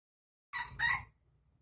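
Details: Red junglefowl from Aceh, used to lure wild junglefowl: a short two-part crow, harsh and broad with the second part stronger, ending abruptly; faint low rumble follows.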